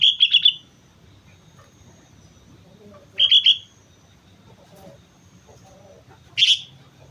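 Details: Sooty-headed bulbul singing actively at Mount Slamet: three brief clusters of quick, bright, bubbling notes spaced about three seconds apart over quiet low background noise.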